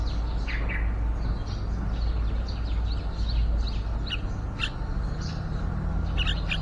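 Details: Yellow-vented bulbul at a nest outside a window on day 29 of nesting, with young near fledging that answer the parents' singing; scattered short, sharp chirps in quick bursts over a steady low rumble.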